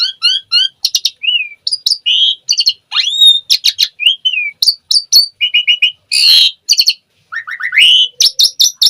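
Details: Gacor Asian pied starling singing full 'isian' phrases to stimulate other starlings: triple-note whistled motifs, slurred rising and falling whistles, loud harsh broadband rasps and rapid clicking series, delivered continuously.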